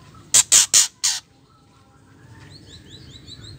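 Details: Female white-rumped shama calling the harsh ketrekan that is said to make male birds sing: four loud, scratchy, broadband rasps in under a second, then faint high repeated chirps.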